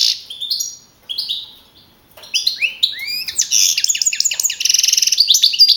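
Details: Young male European goldfinch, 2012 contest champion from the Madrid region, opening with a few separate sweet notes and slurred whistles, then building into a dense, fast twittering run with buzzy rattled trills.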